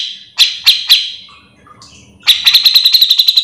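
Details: Bearded bulbul (cucak jenggot) in song for tutoring birds of the same kind: three sharp separated calls, a short pause, then a quick, regular rattling trill of pulsed notes.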